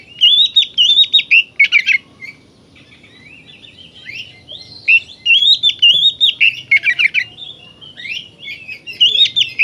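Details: Oriental magpie-robin in full song, played to stir other magpie-robins into agitation: high whistled, warbling phrases with sliding notes and harsh buzzy bursts, given in clustered bouts separated by short quieter gaps.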